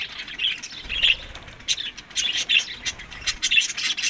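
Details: Budgerigars at a summer feed in Larkana, Sindh: warbling chirps and short squawky notes repeated about twice a second over a soft background hiss.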